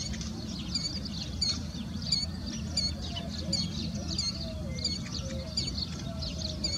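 Killdeer giving shrill, high, piercing notes repeated about every three-quarters of a second, over a steady low rumble and a faint lower whistle.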